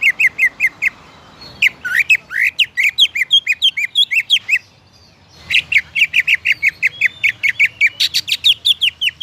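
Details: Greater green leafbird song aimed at triggering other leafbirds: steady rows of crisp chirps, a stretch of sweeping, varied whistled notes, a pause, then another long, rapid sequence of bright, clipped notes.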